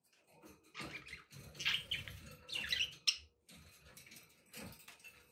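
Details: Pet budgerigars indoors, a busy warbling chatter of short buzzy and squeaky notes over low rumbling background noise, with a few louder chirps standing out.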